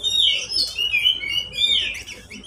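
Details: Caged pet oriental magpie-robin singing as a lure for reluctant birds: a continuous run of sweet warbled whistles and quick twittering phrases, high and bright, over faint low indoor hum.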